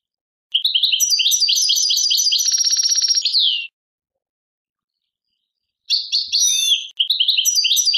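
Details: European goldfinch in Algeria, tadmait style: a long chattering twitter passing into a dry, rattling buzz, then a pause of about two seconds before squeaky notes and more twittering.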